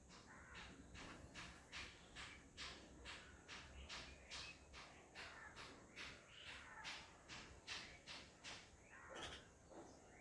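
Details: Piapiac at a home bird feeder giving harsh, scratchy calls about twice a second, with a faint steady insect-like hiss behind.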